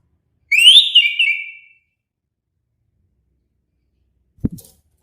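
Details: One clear, rising whistled phrase from an orange-headed thrush, leveling off and fading after about a second, followed later by a soft low thump.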